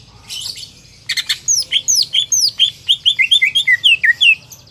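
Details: Market greater green leafbird song: a brief buzzy opening, then a rapid run of about fifteen sharp down-slurred whistled notes, evenly spaced and bright, with a faint low hum behind.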